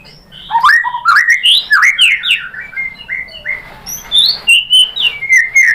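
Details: White-rumped shama, called murai batu in Indonesia, singing a lure song to provoke others to respond: quick rising and falling whistled phrases, then clear sustained whistles and high sweet notes.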